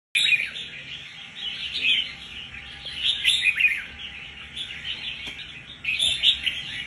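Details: Red-whiskered bulbul, a newly wild-caught bird kept for about a month, showing fighting spirit; dense, lively chirping song of quick rising and falling notes runs almost without pause, with brief lulls and a faint steady background hum.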